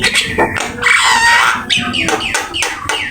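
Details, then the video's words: Javan myna singing vigorously in full varied song, used as a training master: harsh scratchy notes, a smoother whistled phrase near the middle, then repeated rasping downslurred bursts. "Suara jalak kebo gacor !! Full isian ,masteran asik"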